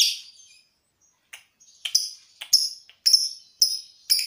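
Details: Lovebird training before a song contest, with breathing practice for the long ngekek trill: a short buzzy note fading out, then a run of sharp high chips and clipped squeaks coming roughly twice per second.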